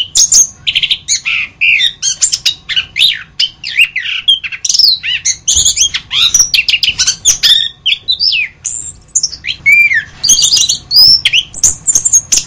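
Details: Masteran song of an orange-headed thrush: a dense, nonstop stream of high, varied chirps, squeaky slurs and sharp clicks, with a single lower down-slurred whistle near the end, over a steady low hum.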